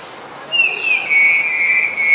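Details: Black-collared starling in Ubon Ratchathani, Thailand, 10 February 2023: one drawn-out whistle that starts higher, slides slightly down, then holds level for over a second, loud and clean with harmonics.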